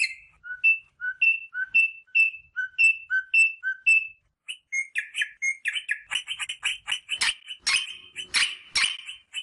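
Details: Rosella whistling clear paired notes, a high note then a lower one, about twice a second, then louder, harsher chattering and squawks; played to stimulate rosellas to mate.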